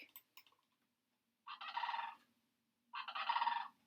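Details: A migrating sandhill crane, from the thousands gathered along the river near Doniphan, Nebraska, gives two loud, rolling, rattling trumpet calls, each under a second long and about 1.5 s apart, after a couple of faint clicks.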